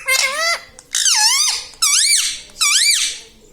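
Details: Pet parrot talking indoors, taught to say words such as mithu, mummy, papa and radhe radhe; four loud, high, squeaky voiced phrases, each bending down then up, spaced about a second apart with quiet gaps, room sound behind.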